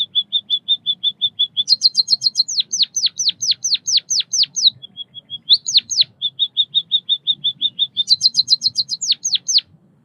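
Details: White-headed munia song, steady and loud: a series of short flat high notes, quick ticking bursts, long runs of downward-slurred whistles, a brief pause, and the pattern repeating.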